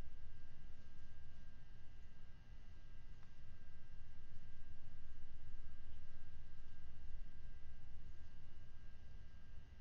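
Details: Constant electrical hum and low rumbling background noise from a nest camera feed, with no animal calls heard.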